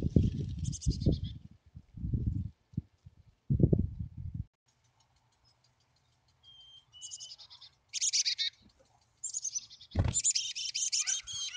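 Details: Wild chickadee at its nest cavity near Emigrant, Montana, on July 14, 2022, in a motion-triggered clip: high, thin, buzzy chips and twittering notes in short clusters in the second half, after low thumps and rumbling, with a sharp click near the end.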